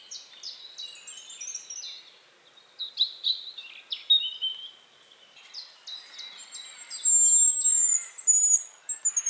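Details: A Hazel Grouse (Tetrastes bonasia) calls with very high, thin, drawn-out whistles near the end, among a busy run of short high chirps and twitters from other small birds.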